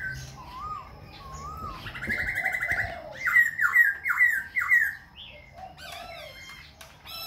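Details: A Khe Sanh laughingthrush sings and dances, endlessly switching voices: soft wavering whistles, a brief buzzy stretch, then five loud descending swoops in quick succession, followed by chattering notes.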